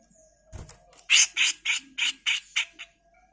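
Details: A grey-cheeked bulbul delivers a rapid series of about seven coarse, rasping 'mbeset kasar' shrieks at roughly three per second. The recording serves as a tutor for training songbirds.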